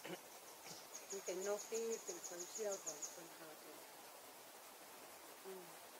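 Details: Velvet-fronted nuthatch, foraging on tree bark, gives a quick run of about a dozen thin, very high chipping notes over three seconds, while a man talks in the background.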